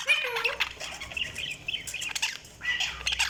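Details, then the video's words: Budgerigars chirping: busy, overlapping warbled chatter and short squeaky notes, with a brief lower whistled slur at the start, rising and falling in loudness. "Budgies Sounds| Budgies Chirping sound"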